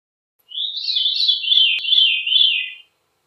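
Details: Veery (Catharus fuscescens) singing one flutelike, spiraling phrase of about two seconds, its rolling notes drifting downward in pitch, against a silent background.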